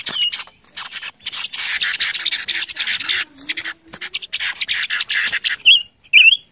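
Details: Silver-eared mesia (Leiothrix argentauris) vocalising: dense, scratchy, rapid chattering notes fill the first five seconds, then a few short, bright whistled notes rise and fall near the end.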